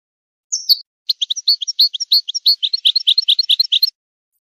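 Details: European goldfinch singing for song training and to stimulate mating in a breeding program: a thin descending note, a brief pause, then a quick liquid twitter of clipped high chirps building into a steady rapid series.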